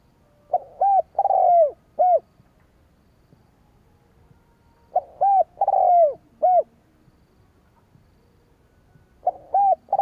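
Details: Repeated spotted dove coo phrases, used to entice rival doves, come roughly every four seconds. Each phrase has four mellow notes with a long, tumbling, descending coo near the end. A third phrase begins as the recording ends.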